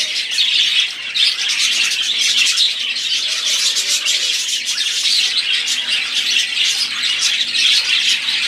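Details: Continuous song of a budgerigar group, a dense mix of chattering chirps, rasping notes and brief piping whistles that rise and fall in loudness without stopping.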